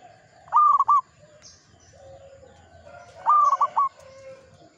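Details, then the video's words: Zebra dove of local stock cooing: two loud stuttered phrases of quick repeated notes, separated by soft low murmuring coos. "PERKUTUT lokal GACOR"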